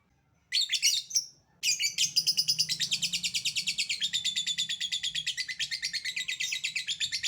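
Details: Lovebird in 'ngekek' chatter, a lure to provoke other lovebirds into answering: a short harsh burst, a brief gap, then a long, fast, buzzy stream of high rattling notes lasting over five seconds.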